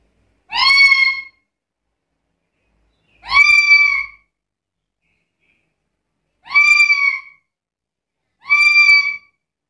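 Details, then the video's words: Black-capped lory from a complete repertoire used for luring and tutoring birds: four strident, slightly rising squawks at irregular intervals of two to three seconds, with a brief low thump. "Suara burung nuri kepala hitam gacor isian komplit"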